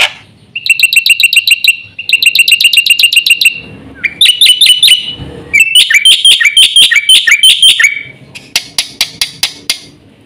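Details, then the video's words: Black-winged myna in varied full song with fill-ins, meant to trigger and teach other mynas: several series of fast, high chips, shifting in pitch between runs, ending in slower, spaced clicks. "BURUNG JALAK PUTIH GACOR FULL ISIAN JUARA"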